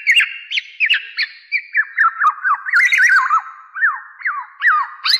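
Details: Black-naped oriole, also known locally as kepodang jawa, in a lure recording used for trapping birds: a quick run of fluty whistled notes sliding up and down, several per second, with a few faint higher chirps.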